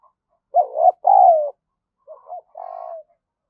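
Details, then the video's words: Spotted dove cooing to lure and stimulate other doves: low, mellow coos in two phrases, short rising notes followed by a longer, slightly falling drawn-out coo, with a pause between phrases. "chim cu gáy mồi gáy thúc và gù"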